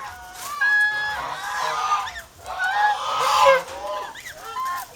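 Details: Domestic geese, kept in the Philippines and acting as over-protective guards, give drawn-out nasal honks in two loud swells, with fainter calls between them.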